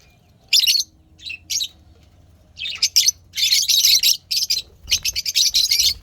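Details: Pet lovebirds chirping happily with loud, shrill, buzzy chatter bursts, growing denser into continuous rapid high twittering over the last seconds.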